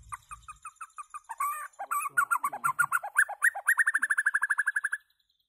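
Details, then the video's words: White-rumped shama singing loudly, a fast series of short repeated notes that quickens into a rapid even trill of about twenty notes near the end, preceded by lower chattering phrases. "White-rumped shama singing loud"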